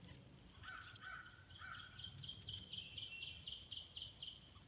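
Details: Northern cardinal nestlings in the nest being fed by their parents: thin, very high squeaky calls in quick irregular bursts, with a few lower, softer notes and a faint background hum.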